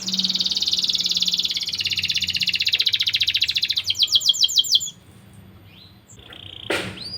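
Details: Canary singing actively as a lure for young canaries: a long buzzy trill, then a series of quick descending chirps, a pause, and a short loud sweep at the end.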